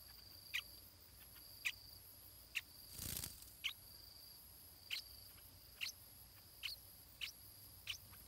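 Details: Stripe-throated bulbul chick in the nest, being fed by its parents. It makes single thin, high chirps spaced about a second apart. A brief rustling burst breaks in near the middle.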